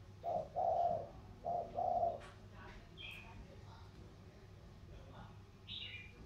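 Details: Vietnamese spotted dove contest, thổ cooing style, pitting a Sóc Trăng lowland bird against a Cam Ranh mountain bird. Two short-long coo pairs at the start, then near quiet with faint high chirps.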